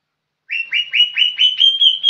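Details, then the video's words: A young green leafbird whistles a series of upslurred notes that gradually merge into a smoother, continuous trill toward the end, with no background noise. "Cucak ijo muda super gacor"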